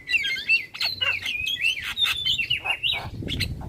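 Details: Javan myna lure song to make other starlings respond: fast jumbled warbling whistles sliding up and down, with scratchy harsh notes woven through and a faint low rumble behind.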